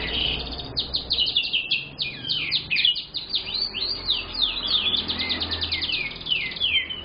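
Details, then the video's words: Young canary in lively song, used as a lure bird: a long fast run of repeated sweeping notes forming trills that change type every second or so, bright and continuous, with a soft low hum behind. "Suara Burung Kenari Pikatan, Gacor Banget Bro.."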